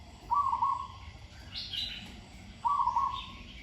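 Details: Trilled, rolling coo phrases from a Zebra dove in training open and close the passage, with a brief burst of higher chirping from another bird in between.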